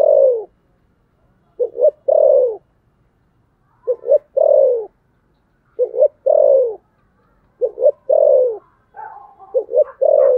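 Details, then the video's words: Thổ sấm fighting coo of a spotted dove: about five repeated phrases, each a double short hoot followed by a long descending coo. A quieter rival coo overlaps near the end. "thổ sấm gù/ Cu gù đấu"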